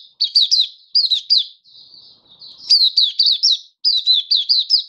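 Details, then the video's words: Oriental white-eye singing in a keeper's hobby setting, 24 February 2023: clusters of three or four shrill, bouncing high notes, a softer thin warble in the middle, then renewed bright twittering, against a silent background. "Mata Puteh Happy Buka Sing"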